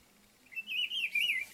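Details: A Rufous-browed Peppershrike in an ipê tree, marking territory, gives one rich, warbled whistled phrase rising and falling for about a second over a quiet background.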